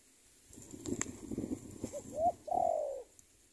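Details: Spotted dove decoy calling out to a rival: low rustling and knocking noises come first, then a short rising coo and a long, descending drawn coo close the phrase.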